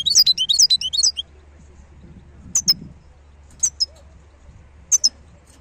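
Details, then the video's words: Short twittering burst of high, slurred notes from a wild European goldfinch, followed by a few sparse sharp call notes over faint low background rumble. "صوت الحسون البري (خلوي) chont chardonneret"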